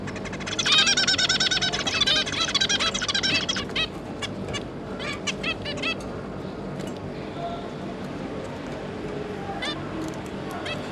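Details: Zebra finch pair with their three juvenile young, recorded 5 August 2022: a dense burst of rapid nasal, harmonic-rich honking calls and chatter over the first few seconds, then scattered single calls against a steady low background hum.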